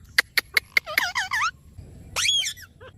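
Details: Parrot voice: four sharp clicks evenly spaced, then a run of wavering, harmonic squeaky syllables dipping and rising, a pause, and a louder drawn-out nasal squeal ending in a short low chirp.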